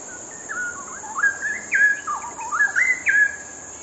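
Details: Cucak rowo, the straw-headed bulbul, singing energetically: rich gurgling phrases of swooping whistled notes, several loud rising slurs in quick succession, then upward-flicking notes near the end, over a constant thin high hiss.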